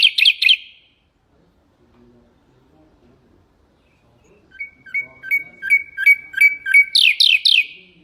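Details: Nightingale phrase meant for teaching goldfinches and canaries to sing: three quick rattling notes, a pause, repeated paired chips, then a loud rolling trill.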